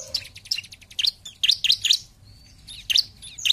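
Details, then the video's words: High, piercing chirps from a bar-winged prinia in energetic 'gacor' song, delivered in a quick burst of three slurred notes, a thin whistle, then more sharp notes. "Pancingan Ciblek Paling Dicari ! Lawan Langsung Gacor"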